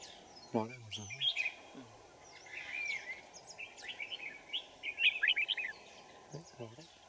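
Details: Red-whiskered Bulbul singing during trapping of wild birds with a decoy at Kim Bôi, Hòa Bình, Vietnam, on a winter morning, 3 January 2018; bright warbled phrases, short and repeated, between men talking quietly at start and end.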